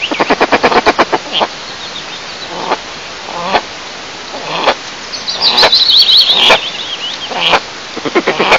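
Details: Eastern imperial eagle pair, male and female, incubating at a nest about 20 m high in Tatarstan, Russia, 15 May 2024; a fast series of gruff barks, then single barks every second or so, with a songbird warbling briefly.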